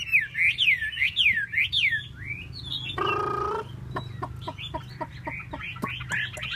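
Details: Chinese hwamei spreading its tail in display, opening with looping, repeated up-and-down whistles, then a burst of harsh noise and a string of sharp clicks with softer chirps.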